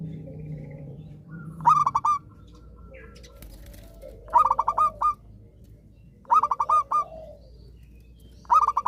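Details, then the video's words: Zebra dove singing steadily, intended as therapy for doves that have stopped singing: four staccato phrases of five or six quick notes about every two seconds over a low background hum and faint cooing. "perkutut gacor rajin manggung"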